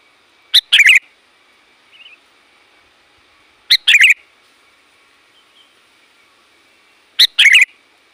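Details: Sooty-headed bulbul, loud varied calling played to draw in wild bulbuls: three matching phrases about every three and a half seconds, each a quick sharp note and a bubbling chatter, with a soft faint note between.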